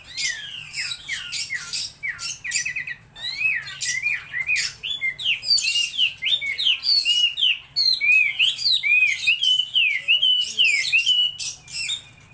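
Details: Energetic laughingthrush song: dense runs of fast, jumping whistled notes and zigzag trills, nearly unbroken for over twelve seconds, with only a brief lull early on.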